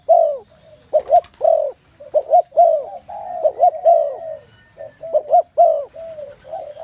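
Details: Several spotted doves coo at once, soft rounded notes in quick pairs and slurred falling phrases, layered into a continuous chorus with brief gaps and a few faint clicks.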